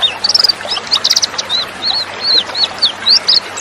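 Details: Female white-eye (pleci) sounds meant to spur lazy males and flocks into quick response: a dense run of high, sharp chirps, short trills and wavering whistled notes pouring out without break.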